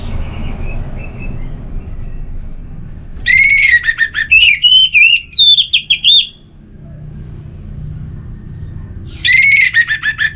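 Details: Orange-headed thrush giving a relaxed song: a faint thin whistle, then a burst of loud, varied, clear whistled phrases with quick rising and falling notes, a pause, and another burst starting at the end, with low background rumble.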